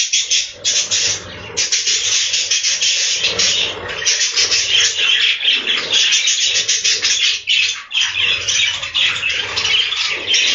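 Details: Budgerigars inside a breeding room fill the air with dense, continuous chattering: overlapping bright chirps and scratchy warbles from many birds, with barely a pause, plus a faint low hum underneath.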